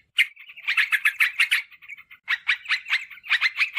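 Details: Yellow-vented bulbul calls used to lure wild birds and train kept bulbuls: two quick runs of sharp, bubbly chattering notes separated by a brief pause, then a third short burst.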